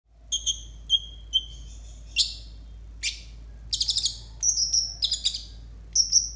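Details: Konin song used as masteran to train young untrained konin: sharp high chirps at a steady pace, then a burst of rapid buzzy notes and clear ringing whistles in the second half, in a quiet room.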